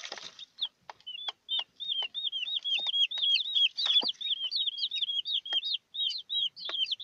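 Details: Newborn chicks with their broody mother hen chirp continuously, many high curved peeps in quick succession, alongside faint scratching and a brief low cluck near the middle.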